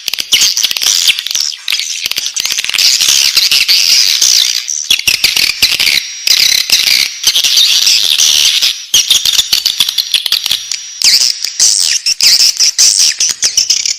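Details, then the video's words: Swiftlet chicks in the nest give long runs of buzzy, raspy high calls with dense crackling clicks, broken by short pauses in the second half. "Suara walet anakan dalam sarang"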